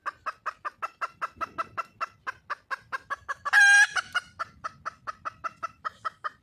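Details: Red junglefowl hen, wild, calling to attract a male: quick repeated clucks at an even pace, broken midway by one loud, harsh, drawn-out squawk with a ringing tone, then the clucking series resumes.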